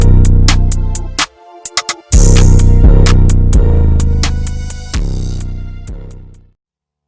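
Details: Electronic music with a pounding drum-machine beat, deep bass and synthesizer tones, a brief break near the middle, then fading into silence at the end.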